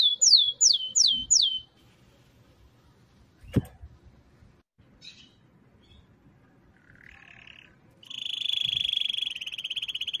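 A canary sings four quick, high whistles sweeping downward, a faint click, then a short buzzy trill and a long, rapid rolling trill.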